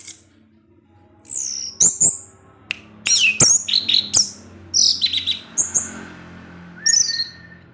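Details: Kept orange-headed thrush singing in the teler style with ngecip ngecis chatter: bursts of high, sharp whistles and slurred chirps, mostly very high, separated by short gaps, with a brief lower whistled note near the end.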